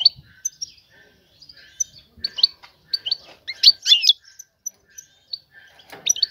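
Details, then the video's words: Female European goldfinch calling a male to mate; rapid high chirps and twittering with a louder tangled burst midway, faint softer notes around it. "أنثى الحسون جاهزة, تبحث عن الذكر للتزاوج"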